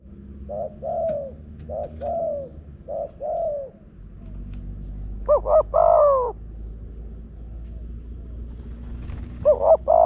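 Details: Wild spotted dove lured by a decoy bird in Phrae, Thailand, on a dim overcast day: low hollow coos in short groups, two quick notes then a longer drawn coo, several phrases repeating with faint background hum.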